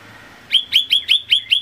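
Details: Lesser green leafbird, used as a lure to prompt other birds to sing: six short bright chirps, each a quick upward flick leveling into a brief whistle, repeated roughly every fifth of a second after a quiet start.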